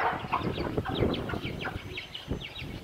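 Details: Domestic chicks in a brood give thin descending peeps in quick succession, partly masked by low knocking and clattering noises and background handling sounds.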